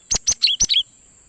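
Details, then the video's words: Cinereous tit lure call for catching wild birds: one quick phrase of five sharp notes, high clicks followed by lower slurred whistles, all within a second, with a constant faint high tone behind it. "suara Gelatik Batu Pikat sangat Baik Untuk Mikat Burung Gelatik Liar"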